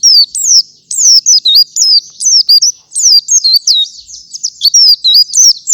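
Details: Morning gacoran of a white-eye, meant as a master song for other white-eyes: bursts of bright, high whistles swooping down then up, delivered in quick jerky phrases with short gaps between them.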